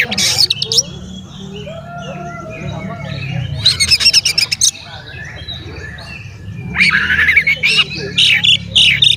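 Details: Oriental magpie-robin song used to provoke fellow magpie-robins: three loud stretches of rapid, scratchy chattering and sharp whistles, separated by quieter passages of faint background birdsong and low rumble.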